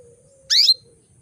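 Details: A single bright female canary chirp, about a quarter-second long, high and slightly rising, used to stimulate males into breeding condition, over a faint steady electrical hum.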